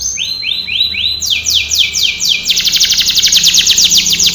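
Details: A Belgian canary sings a training song in repeated tours: slow upward-sweeping whistles about four per second, then higher, faster sweeps, ending in a rapid bright trill.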